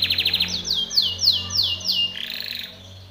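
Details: Timbrado canary song used to train canaries, with quick high notes, then slow descending whistled slurs about every quarter second, closing in a lower rolling trill; faint low hum behind.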